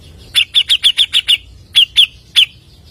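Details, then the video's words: Grey-cheeked bulbul lure song with seven quick ringing chirps in a row, a short pause, then three more spaced chirps trailing into quiet. "PANCINGAN BURUNG CUCAK JENGGOT GACOR FULL MBESET SPEED TANPA JEDA NEMBAK MEWAH"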